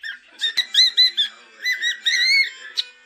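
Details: Pet cockatiel whistling a short series of clear, slightly wavering notes with harmonics, some rising then falling, spaced irregularly across a few seconds, ending with a brief sharp chirp.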